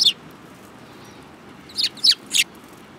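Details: Sparrows, one of them yellow-billed, on 24 February 2018; a single high chirp, a pause, then three quick bright chirps in a row over faint background noise.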